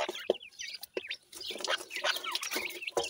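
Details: Pheasant chicks eating new food, sounding content: busy chorus of high, squeaky chirps and rising-falling peeps from several young birds, with a few sharp tapping clicks between them.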